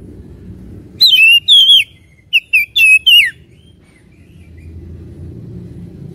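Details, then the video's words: Oriental magpie-robin song used as a lure to stir up fighting spirit: a short burst of loud, bright whistled phrases with sweeping slurs, sung in five quick bouts between one and three seconds, then quiet low background hum. "Pancingan Kacer bikin panas dan ngotot"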